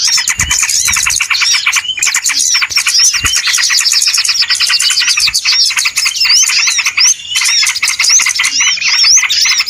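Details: Small birds in a noisy trapping lure, an unbroken wall of high chirps and repeated rising whistles, with a few low knocks in the background.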